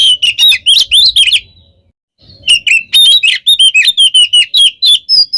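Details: Oriental magpie-robin in continuous contest song that provokes rival birds: rapid repeated sharp whistled notes and rattles, nearly four per second, interrupted by one short silence.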